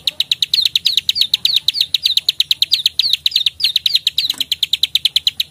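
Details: Prenjak sawah (field prinia) in bold 'klik-klik' calling used to tutor caged songbirds: quick chain of bright clicks, some with a hooked down-slur, continuing steadily throughout.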